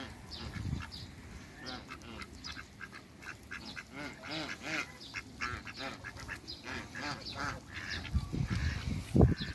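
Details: African geese kept with Muscovy ducks in a backyard, giving a long run of nasal, arched honks that follow one another closely and rise and fall in loudness, over a steady low rumble and scattered fowl noises.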